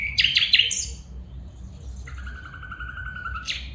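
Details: Female bulbul calling: a quick burst of bright, high chirps that slide downward, then a long, steady, even whistled tone held for about a second and a half, ending in a sharp upward flick.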